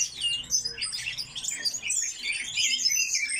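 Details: Very high, thin chirps and squeaky notes from coal tits in an aviary, repeated quickly and overlapping throughout.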